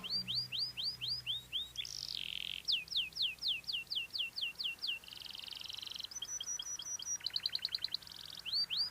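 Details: Canary singing a cengkok-style song. Series of rising whistled notes repeat about four times a second, broken by buzzy trilled passages and quick stuttering runs. The song is continuous and clear over soft background noise.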